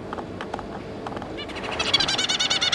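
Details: Zebra finches, parents and three juvenile young: a few scattered short nasal calls, then a fast, insistent burst of buzzy harmonic calls in close succession that grows louder toward the end.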